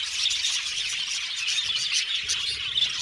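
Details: A colony of budgies in an aviary keeps up busy chirping, with many overlapping high twittering notes and short sharp tweets standing out briefly over steady chatter.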